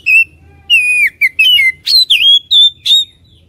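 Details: Oriental magpie-robin song used as a lure to make birds heated and persistent: a run of varied whistles, some dipping and some rising, about eight notes in under four seconds.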